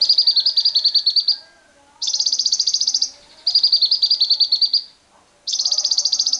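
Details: Lovebird ngekek as a lure for other lovebirds, with wild birds: four rapid high trill bursts of over a second each, back to back with only short pauses, pulses evenly fast.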